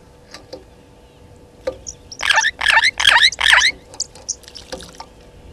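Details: Burchell's starling at Gowrie dam waterhole, Djuma Game Reserve, Sabi Sand, South Africa, 15:58 on 18 September 2019, gives four harsh, grating squawks in quick succession, about two per second, with faint clicks and chips around them.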